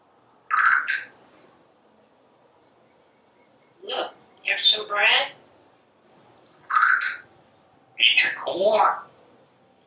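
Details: Talkative pet parrot on a screened back porch, commenting as it watches squirrels and birds; four clusters of clipped, hoarse word-like phrases spaced by short silences, each burst sharp and bright.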